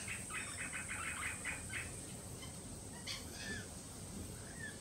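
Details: Lorikeets, jittery after a Peregrine Falcon attack earlier in the week, give a quick run of short harmonic chirps, then scattered harsh screeches over a steady background hiss.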